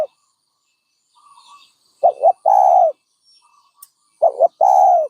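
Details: After a quiet start, a dove gives two cooing phrases, each a clipped double note then a longer hollow coo.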